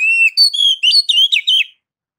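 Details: Oriental magpie-robin (kacer) singing in the ngeplong style, used as training song to prompt other kacer to sing: a loud, clear run of about six whistled phrases, sliding and warbling up and down, then silence; no other sounds.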